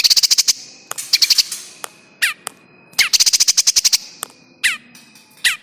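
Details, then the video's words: Lure recording of a bar-winged prinia 'kejepit' distress call for trapping birds: fast rattling trains of sharp ticks alternate with single harsh descending squawks, a steady thin tone underneath. "SUARA PIKAT PRENJAK KEJEPIT"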